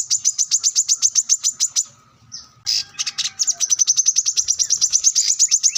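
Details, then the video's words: Plain-throated sunbird (manggar) singing hard while seeking an opponent, used as a master song for training. Very rapid, shrill repeated notes form a long trill, pausing once before continuing even faster. "kolibri kelapa | wiceh | manggar | korlap gacor mencari lawan"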